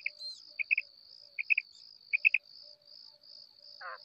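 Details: Calling female quail (batair), 2024 recording: three sets of crisp three-note chirps spaced unevenly, ending in a single grating buzzy note, with a faint continuous high-pitched drone behind.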